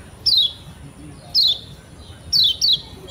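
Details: Lure recording of the Lombok yellow white-eye (kecial kuning) for making beginner birds sing readily: clear high whistles sliding steeply downward, separated by about a second of near silence, ending with a close-spaced pair.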